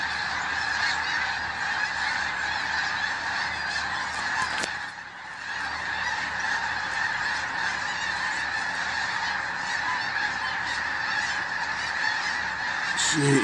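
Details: Snow geese heard while out hunting, a thick chorus of high honks from a large flock that briefly dips quieter near the middle, then swells again.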